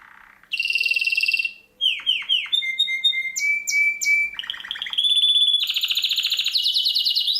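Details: [7, 'Songbird master recording for competition birds: harsh buzzy bursts, quick downslurred chirps, pure level whistles and rasping trills in fast succession.']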